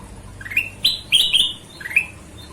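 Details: Golden-vented bulbul in full voice: a fast string of ringing, rising whistles, the middle notes louder and stretched into longer sweeping phrases before a softer final upslur.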